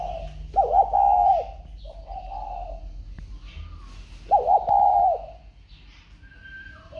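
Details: Spotted dove, just sold and boxed, still calling: two loud, low cooing phrases of a few notes each, separated by quieter coos, with faint distant whistles from other birds.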